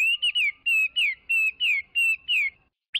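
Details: A Chinese hwamei delivers a series of full, ringing whistles, each held briefly and then dropping in pitch, about three per second, followed by a short pause and one sharp rising note.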